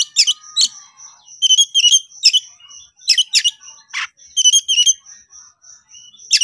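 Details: Kacer, or Oriental magpie-robin, singing in an excited konslet style to challenge a rival: clustered scratchy chips and short whistles in quick groups, against a persistent high beeping tone.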